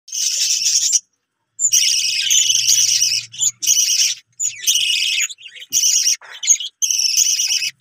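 Lovebirds chatter in dense, shrill, buzzy bursts of high squeaks and twitters, each lasting about a second or two with short pauses between.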